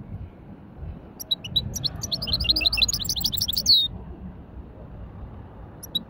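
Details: Light warm-up song of a hybrid finch in widani style, a short burst of quick, high chattering notes closing with a clear sustained whistle, then near-silence over low room noise with a faint final chirp.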